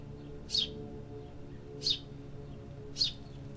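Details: City birds singing in an urban setting: three short high chirps, evenly spaced about every 1.2 seconds, over a steady low background hum.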